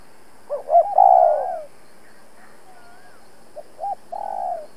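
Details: Decoy spotted dove challenging wild rivals: a phrase of rising hoots and a long falling coo, a pause with faint distant whistles from other birds, then short hoots and another drawn coo.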